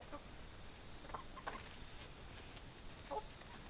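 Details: Chickens on a farm, a few short soft clucks scattered through a faint recording, with the clearest notes near the middle and the end, over a steady background hiss.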